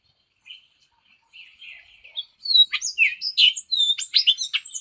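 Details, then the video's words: Hispaniolan oriole (Icterus dominicensis), found on Hispaniola between the Dominican Republic and Haiti, singing: soft thin warbles at first, then a rapid jumble of high, sharp whistles and chattering notes. No other sounds. "O canto do Corrupião Hispaniolano"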